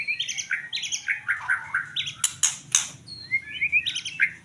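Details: White-rumped shama delivering rapid, varied warbled phrases of rich whistled notes, interrupted by loud harsh clicking bursts midway, then more quick whistles.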